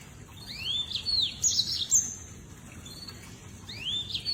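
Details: Lemon-breasted canary (Crithagra citrinipectus), song.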